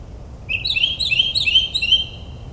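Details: Nocturnal mockingbird song from a New Jersey suburb: a rapid, continuous string of sharp, high chirps tumbling over each other for two seconds, part of a performance imitating other birds, with a faint low hum underneath.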